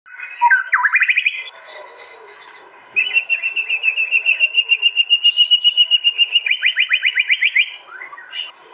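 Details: White-rumped shama at a song-contest arena in East Java, phone-recorded and compiled into a master recording, delivers fierce 'tembakan' bursts meant to intimidate rivals: fast sweeping notes, then a long rapid trill of evenly repeated notes, ending in quick rising sweeps.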